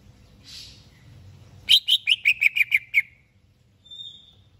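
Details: Greater green leafbird ready for competition bursts into a fast run of about eight loud, crisp chirps that drop gradually in pitch, followed by a thin high whistle.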